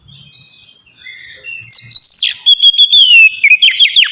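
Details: Oriental magpie-robin song used to get caged birds singing: soft thin whistles at first, then a loud burst of rapid, varied chirps and slurred whistles.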